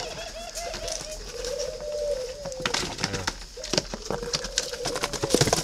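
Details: Caged spotted dove of a red-billed, yellow-legged type at a bird garden in Ba Vì, Hanoi, northern Vietnam, giving soft low drawn-out coos, several linked phrases with a slight rise and fall, among clicks, taps and rustling.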